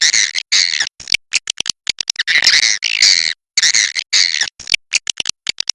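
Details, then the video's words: Swiftlets along the Kapuas River, with dense bursts of harsh, buzzy chirps that stop and start rapidly and overlap into a continuous chattering twitter, with brief silent gaps between the bursts. "SUARA BURUNG WALET SUNGAI KAPUAS"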